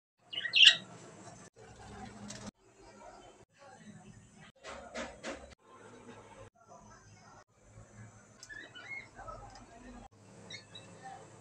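A budgerigar gives a sharp, high chirp, then soft, scratchy chatter with faint voices in the background.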